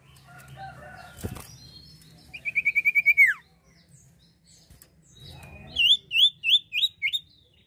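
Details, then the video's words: Common iora singing, played to lure birds: a rapid even trill that drops at the end, followed by a short series of five sharp upswept whistled notes; a click and faint low hum in the background. "sirtu gacor atau cipoh gacor efektif pancing burung anda"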